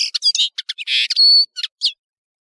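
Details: Brief European serin phrase of quick, squeaky, high chirps with a buzzy burst and a sustained pure whistle, ending in a lone chirp.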